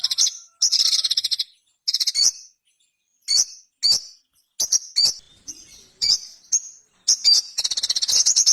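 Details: Ruby-cheeked sunbird in clear "gacor konslet" song: a dense sequence of piercing high chips, twittering notes and rapid machine-gun rattles, opening and closing with long buzzy trills, with short silent gaps between phrases.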